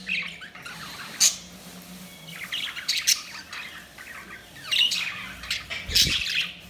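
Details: Budgerigars chirping: sharp bright chirps and chattering notes spread through the recording, some overlapping, above a low steady hum.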